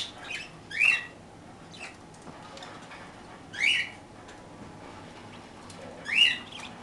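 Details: Three loud, buzzy chirps spaced about two and a half seconds apart, from parakeets eating toast, with quieter squeaks and clicks in between.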